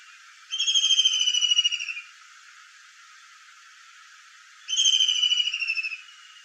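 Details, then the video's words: Kingfisher voice: two high, rapid, trilling bursts, each lasting about a second and a half and drifting slightly lower, separated by a few seconds of quiet hiss. "KINGFISHER VOICE"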